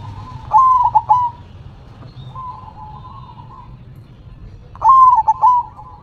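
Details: Perkutut singing in clear repeated phrases: a loud broken coo with rapid pulses, a long soft level purr, then the loud pulsed coo again, all low and tonal.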